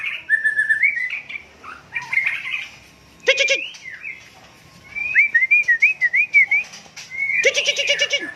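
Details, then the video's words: Murai Aceh, a white-rumped shama recorded in Cot Goh, Bireuen, Aceh, sings fluid looping whistles, including a quick chain of six rising notes around five to seven seconds, punctuated by two loud grating rattles. "Murai Aceh"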